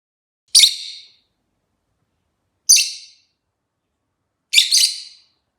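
Rosy-faced lovebird giving three shrill, harsh chirps about two seconds apart, the last one doubled, with silence between.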